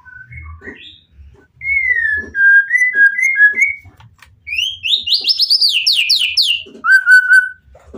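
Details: White-rumped shama song aimed at provoking other shamas to reply, with level whistles, a rising series of quick high notes, then a steady lower whistle, low knocking sounds beneath.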